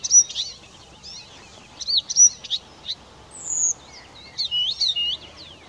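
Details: A Blyth's reed warbler sings a busy string of varied high chirps and slurs, then a long, very high, slightly falling whistle, followed by looping, twisting notes that rise and fall, with quiet background noise throughout.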